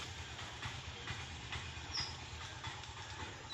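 Steady rumbling and rhythmic clatter of a passing train, with no animal calls heard.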